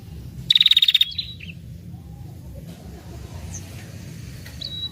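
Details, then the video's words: Female red-headed prinia lure call for attracting males: one short burst of rapid high pulsed notes followed by a soft slurred chirp, then mostly quiet with faint distant thin whistles. "SUARA PIKAT PRENJAK KEPALA MERAH BETINA NGETIR PANJANG"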